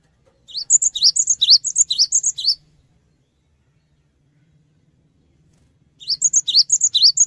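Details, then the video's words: Lure song of a cinereous tit for prompting fast responses from other birds: two bursts of quick repeated two-note phrases, high and piercing, each lasting about two seconds, separated by roughly three seconds of silence. "GELATIK BATU GACOR | Pancingan Suara Burung Gelatik Batu Cepat Respon"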